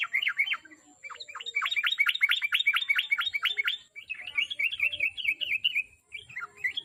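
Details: Sooty-headed bulbul song meant to prompt a kept bird into singing: a fast, even series of dropping chirps, then a softer, smoother warbling run and a final few notes.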